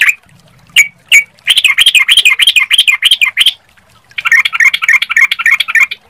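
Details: Sooty-headed bulbul song played as a lure to draw other birds into answering: a few single sharp notes, then a fast burst of bubbly, rolling chatter, a pause, and another dense trilling run.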